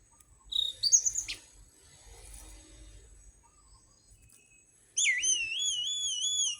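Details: Orange-headed thrush song used as a lure to stimulate caged birds to sing: a brief rising whistled phrase, a long quiet gap, then a sustained wavering, warbled high whistle with layered tones.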